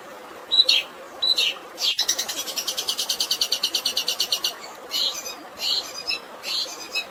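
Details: Long-tailed shrike with a fill of fighting sparrow sounds, for stressed birds. A few high chirps lead into a fast, even, buzzy rattle of about twenty-five notes, then harsh scratchy chirps resume.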